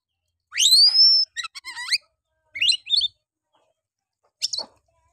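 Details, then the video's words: Oriental magpie-robin song used as a lure to stir a quiet male and provoke other males, in a harsh 'nembak' style: a loud rising whistle, then rapid rattled trill notes and short chirpy bursts separated by pauses. "Pancingan Kacer malas bunyi. bangkitkan emosi Kacer lain"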